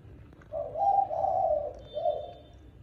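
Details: Spotted dove cooing in the evening around mealtime, giving a soft, hollow, low coo phrase in three parts: two joined notes followed by a brief pause and a shorter closing note.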